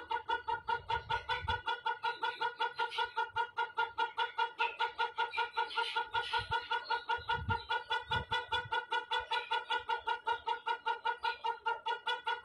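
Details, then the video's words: Extended crowing from a white rooster: an unbroken run of fast, regular vibrating pulses lasting over twelve seconds at an even pitch, with low thumps and handling sounds in the background. "Amazing White Rooster || Ayam Berkokok Sangat Panjang"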